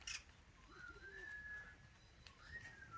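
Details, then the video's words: Cheer pheasant chicks hatching: a long, slightly rising whistled peep followed by a second upswept whistled note, with soft low murmuring notes beneath and steady background hiss. "Catreus wallichii - klucie maluszków."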